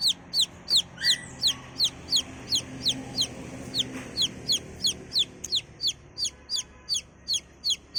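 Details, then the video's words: Baby chicken chicks peeping continuously: high, downward-sweeping cheeps repeated about three times a second for eight seconds, steady and insistent, with faint low background hum. "The cutest sweet sound of a chick"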